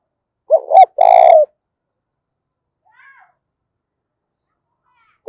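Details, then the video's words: Spotted dove cooing to incite fighting in the 'thổ pha' voice: one full phrase of double note plus long rolling coo, a faint higher chirp midway, and the next phrase starting at the end. "cu gáy thúc đấu, tieng cu gay kich boi nhanh noi. cu gáy giọng thổ pha"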